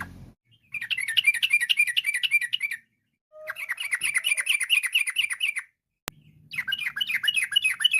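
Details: Energetic yellow-vented bulbul song in fast 'ropel' style, said to call other bulbuls into singing: three long runs of rapid, evenly spaced bubbly notes with short gaps, one sharp click and faint low hum.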